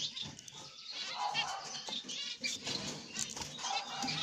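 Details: A captive zebra finch pair, a light-backed grey black-cheeked male and a pied female, with their chicks in the nest. They give short, nasal, beeping calls overlapping in a busy, hissy chatter, with a few brief fluttering sounds.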